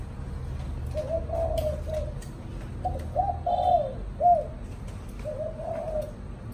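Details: Caged spotted dove of the chạm đồng cooing style, kept as a pet bird in Vietnam, giving three low, hoarse coo phrases of several soft notes each, spaced about two seconds apart, over a steady low background hum.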